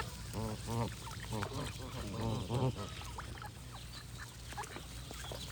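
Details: Several geese give rapid strings of nasal honks in the first half, then the calling fades to sparse high bird chirps over a constant low background drone.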